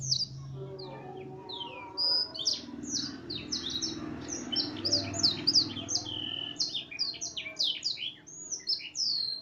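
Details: Canary, an F1 singer tutored with blackthroat song, pours out a long fast run of high sharp downslurred whistles and chips, growing denser and more continuous toward the end, over faint low hum.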